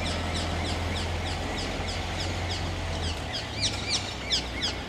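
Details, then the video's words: Small flock of Ring-necked Parakeets perched in a tree at the London Wetland Centre, Barnes, south London, in February; repeated sharp, down-slurred screeching notes, quieter at first, then louder shrill calls near the end over low steady background rumble. "Ring-necked Parakeets London Wetland Centre"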